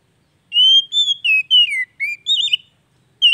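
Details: Oriental magpie-robin song played as daily therapy to coax a bird that has stopped singing back into song: a run of clear, high whistled notes, some slurring downward, others rising, in quick separate phrases over a silent background.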